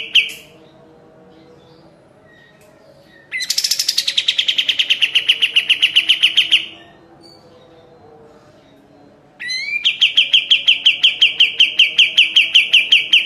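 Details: Sooty-headed bulbul (kapas tembak) training song for caged birds, in three bursts separated by pauses. Each burst is a fast series of bright, clipped chips, and the later bursts open with a high rising note.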